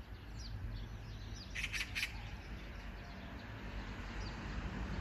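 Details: Magpie giving one sharp group of three loud, rasping notes, with small birds twittering faintly before and after.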